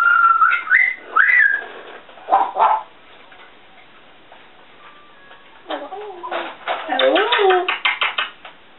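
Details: Indoor female African grey parrot vocalizing to herself: sliding whistles at the start, a couple of speech-like syllables, a pause, then a rapid clicking chatter with low warbled notes.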